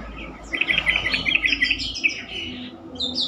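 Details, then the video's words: Sooty-headed bulbul song used as a lure to prompt other bulbuls to answer and sing more often: a dense, bubbly burst of quick high chirps lasting about a second and a half, then scattered thinner notes over a steady background hiss. "pancingan trucukan terkomplit sangat bagus untuk membuat trucukan lain lebih gacor."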